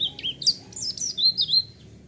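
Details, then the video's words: White-eye song played as a lure to provoke other white-eyes to respond. A brief burst of high, thin chirps and warbled whistles with quick upward and downward slurs. A faint low hum sits underneath. "Pancingan Suara Burung Pleci"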